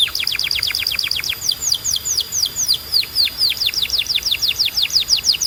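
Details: Canary singing as a training song for other canaries, delivering a long rolling trill of high, downward-slurred whistled notes, fast at first and then slightly slower and evenly paced, about two per second.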